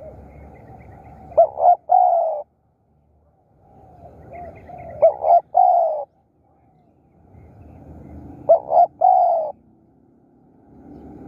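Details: Spotted dove used as a decoy to lure wild doves. Three repeated phrases, each made of two quick clipped notes followed by a longer mellow coo, arrive about every three and a half seconds, with soft distant cooing between them.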